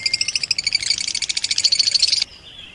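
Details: Blue opaline and parblue opaline lovebirds kept as pets in Pakistan give a rapid run of sharp, high chirps, about ten per second for two seconds, then stop abruptly.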